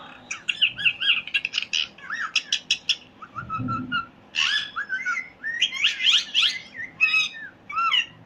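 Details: Parrot chirping in fast clicky bursts and looping whistles, a soft low thump midway, then varied warbling chirps.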